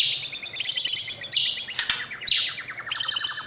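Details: White-rumped shama, caged and trained for singing competition, in morning song: steady high whistled notes alternating between two pitches over a rapid ticking trill, broken by a short harsh noise burst.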